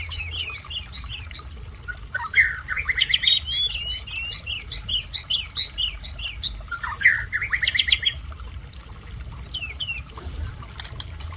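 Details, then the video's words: Sunda robin singing a fast, varied run of bright chirps and sweet rising and falling whistled notes, over a low wash of running water. "Tledekan gunung belajar bunyi"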